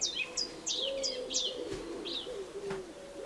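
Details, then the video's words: Fed Eurasian tree sparrow chicks giving rapid, shrill downslurred chirps in a dense cluster, then a few scattered notes, with a constant low droning hum beneath. "skovspurveunger fodres"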